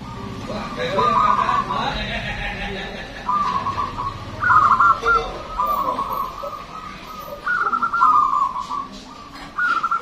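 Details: Local Zebra dove with a loud, long song, used as a lure for other birds, repeats rattling coo phrases with drawn-out endings about every two seconds amid busy background chatter and other bird notes.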